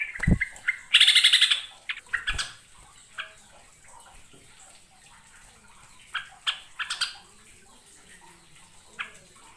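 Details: Yellow-vented bulbul lure recording from East Java, used to attract wild birds: a loud burst of bubbly chattering notes early on, then scattered short chirps and sharp clicks over a faint background hiss.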